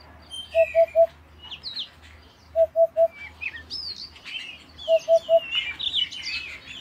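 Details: Canary warbling high, sliding whistles and chirps that build toward the end. Triplets of short, low, steady tones recur roughly every two seconds. A quiet hum sits in the background.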